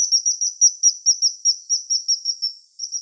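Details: Common kingfisher in Wittlich, 2017, near a river: a rapid run of piercing high whistles, about five per second, evenly spaced with one short pause, clear over a quiet background.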